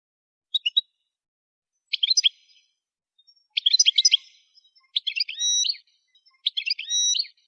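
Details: Goldfinch song used for song training: short separated bursts of high twittering notes with a drawn-out nasal tone at the end of later phrases, spaced about every one to two seconds, on a silent background.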